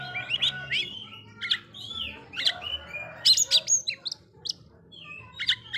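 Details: Oriental magpie-robin singing to provoke other magpie-robins: a mix of sweet slurred whistles, short sharp chips and buzzy phrases, delivered irregularly with brief pauses.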